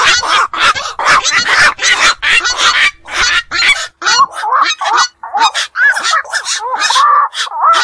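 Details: Black-crowned night herons from pond and wetland habitat give rapid rough honking croaks, several birds together, with short silences near the middle.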